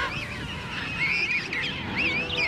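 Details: King penguin colony chorus at Gold Harbour, South Georgia, one of the largest in the world, with groups of fuzzy chicks: many overlapping wavering, trumpet-like whistles, a few clearer calls rising and falling over a constant murmur.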